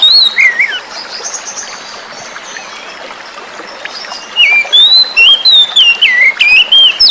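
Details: Oriental magpie-robin (kacer), wild-caught, song used with running-water sounds to provoke singing: steady stream murmur, a short whistled note early, then a lively burst of bright looping whistles in the last few seconds.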